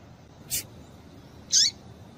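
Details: Female double-collared seedeater, calling to excite males. A faint click is followed a second later by one loud, high, sharp note that slides downward at its end. Quiet hiss in the background.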